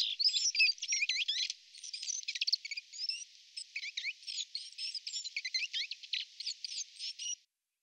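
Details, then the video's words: Courting European robin, with the male bringing titbits to a begging female; thin, high, varied warbling of quick whistled notes and twitters, delivered in rapid bursts for about seven seconds, then stopping abruptly. "roodborst hofmakerij"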